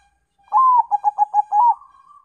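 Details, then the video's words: Crossbred Bangkok-local zebra dove used as a lure sound, giving one clear phrase: a drawn-out falling first note, a quick run of four short coos, a longer note, then a soft trailing tone. "PANCINGAN PERKUTUT BANGKOK LOKAL (CROSING SILANGAN)"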